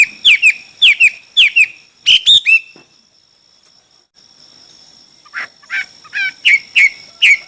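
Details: Contest singing from a Chinese hwamei: groups of ringing whistled notes, sharply rising then falling, come in short bursts. They are separated by a near-silent gap of about two seconds, then resume in a similar repeated pattern.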